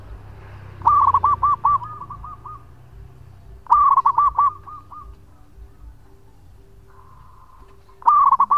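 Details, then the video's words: Zebra dove of a local strain in full long song, recorded as a lure: three loud rolling cooing phrases with softer trailing notes, and a faint steady piping tone repeating in the background. "Perkutut Lokal Gacor Suara Panjang buat Pancingan"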